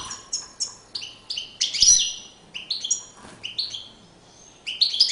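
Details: European goldfinch in courtship display, giving a run of short, bright, high chirps at a quick, uneven pace, with a few louder twittering bursts in between.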